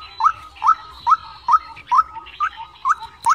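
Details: White-breasted waterhen, as played to lure birds into traps, repeating a short rising note at a steady pace of about two per second.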